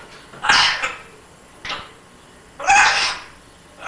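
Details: A talking, imitating African grey parrot born in January 2000 makes harsh, breathy bursts like sneezes or coughs, three clear ones about a second apart, with a fourth starting at the end.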